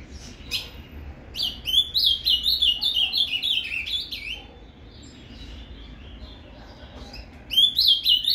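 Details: Ultramarine grosbeak (azulão) singing in the Paraná canto fibra style, used to warm up a captive bird: two bursts of quick, rhythmic, slurred whistled notes rising and falling, with a quiet pause between, over faint low hum.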